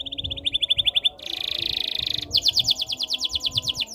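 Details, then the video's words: Canary song played to get other canaries singing: a fast repeated trill of short notes, then a dense buzzy roll lasting about a second, then rapid sweeping notes repeated several times a second. A faint low hum sits underneath. "KICAUAN BURUNG KENARI BIKIN KENARI GACOR DOR ● OCEHAN BURUNG KENARI BIKIN IRI"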